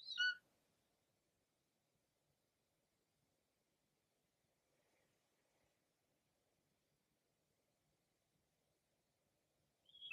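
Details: A female golden eagle calling to the male flying above her while covering and protecting her prey from nearby vultures: a thin, high yelp at the start and another after ten seconds of near silence.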